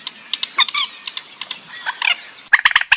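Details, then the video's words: Purple swamphen giving a mix of nasal, honking squawks with stacked harmonics, interspersed with short clicks, then a burst of four sharp, loud notes near the end. "Suara Pemangil Burung Mandar"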